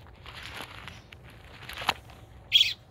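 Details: Baby robin calling for its mother: faint scattered chirping, then one loud, sharp, high burst of call near the end, with a soft low rumble of background noise throughout.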